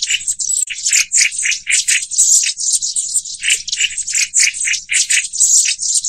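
Black-throated bushtit giving high, thin, rattling chatter in quick bursts, a few notes per second, almost without pause; no other sounds stand out.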